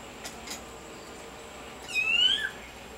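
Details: A Clay-colored thrush, Costa Rica's national bird, gives a single clear whistle, rising and lasting about half a second, after two faint clicks in a quiet background.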